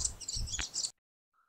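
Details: Grey-breasted Prinia call in Bengal, a bird of low scrub that breeds March to October: a quick burst of thin, high chirps and twitters over a low rumble and a sharp click, cut off abruptly into silence.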